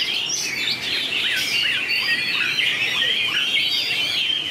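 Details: Duelling song of white-rumped shama, 2019, long varied voice changes: dense, sweet, high whistles with short notes sliding steeply downward, many per second, a lively uninterrupted stream.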